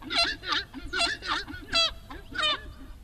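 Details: Horned screamer song with repeated loud, trumpeting honks at roughly two or three per second. The honks are nasal and harmonic-rich and come in an uneven rhythm.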